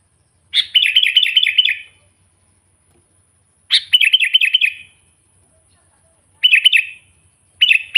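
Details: Sooty-headed bulbul, recorded naturally, calling to rile up wild bulbuls: four phrases, each a sharp opening note and a run of about six quick even chirps, with longer silences between.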